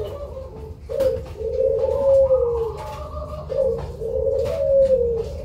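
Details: Cemani zebra dove (perkutut), a loud bird kept as a lure, cooing in a low warbling phrase that swells and dips, repeated twice, with faint room noise and a few clicks.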